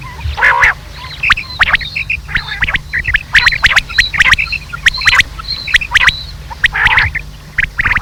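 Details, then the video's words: Rain quail calls on a lure recording for hunting, with quick squawky chirps and crisp clicks repeated about once a second, plus a louder rasping burst early on. "batair sound/batair lawa"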